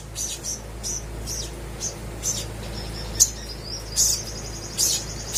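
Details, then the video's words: Crimson sunbird song used as a lure for quiet birds: soft, spaced high chips and a thin drawn-out whistle, fainter than the background hiss. "PANCINGAN SOGOK ONTONG GACOR DOR COCOK UNTUK BURUNG MALAS BUNYI DAN BAHAN AUTO IKUT GACOR!!!"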